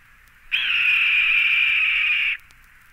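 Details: Red-tailed Hawk giving a single loud, hoarse scream held steadily for nearly two seconds, starting slightly higher and then flattening out, before cutting off abruptly.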